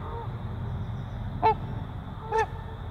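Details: One of a breeding pair of trumpeter swans gives two loud, brassy, horn-like honks about a second apart, after a fainter note at the start, over a low steady rumble.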